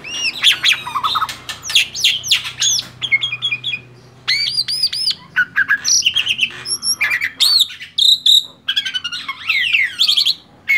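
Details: Tame male black-winged starling singing vigorously, mixing arched whistled notes, rapid chattering bursts and harsh rasping squawks in quick, varied phrases broken by short silences.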